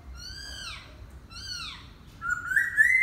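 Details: Laughingthrush singing: two clear whistled phrases, each sliding downward with rich overtones, followed by a louder rising whistle at the end.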